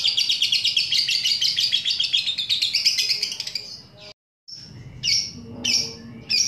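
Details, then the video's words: Lovebird singing ngekek, used as a lure to get other lovebirds singing; a fast, harsh, rolling high chatter for about four seconds, a sudden short silence, then a few separate squeaky chirps. "mancing lovebird ngekek"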